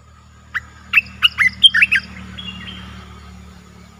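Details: A newly acquired caged streak-eared bulbul in Thailand, 29 June 2021, sings one short phrase of about seven quick, liquid, rising-and-falling notes, then a fainter wavering tail, over a steady low rumble.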